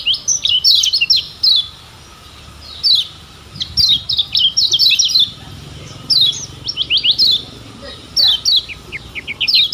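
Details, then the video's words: Lemon-bellied white-eye from Lombok used as a tutor recording to get birds singing. Rapid bursts of high, thin, down-slurred chirps tumble in quick clusters, with short pauses between phrases. A faint low hum sits underneath. "Ciak Joss Kecial Kuning Ini Ampuh Jadi Masteran Bikin Cepat GACOR"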